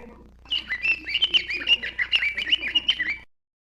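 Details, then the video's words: Continuous rapid warble from a bird, fast whistled notes wavering up and down at a steady high pitch for nearly three seconds over a soft background hum, then stopping abruptly. "Birds chirping sound"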